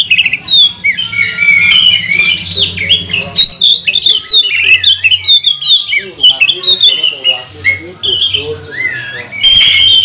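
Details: Lure song from a magpie-robin meant to make other magpie-robins sing and get agitated: ten seconds of continuous rich warbling, fast twisting whistles and chatter, a few harsh notes, faint low hum throughout.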